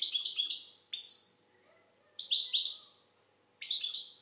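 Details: Algerian goldfinch pouring out loud, rapid twittering phrases of high, liquid, tinkling notes in three bursts separated by short pauses.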